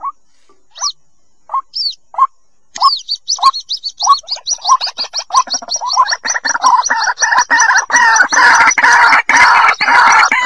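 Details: White-breasted waterhen chick calls for luring: a few spaced, sharp upward squeaks, then quickening chirps that build into a loud, dense, continuous chattering chorus.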